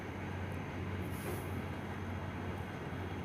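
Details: A steady low rumble and broad hiss like a passing train or vehicle, with no animal voice.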